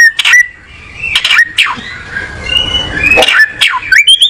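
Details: Oriental magpie-robin giving scattered bursts of song: sharp downslurred whistles and short chirps separated by quieter gaps, with a faint hiss in the background.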